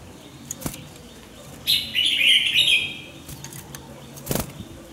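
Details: Red-whiskered bulbul in song training. One sustained, loud, chattering warble lasts over a second, framed by a few dull knocks and taps before and after.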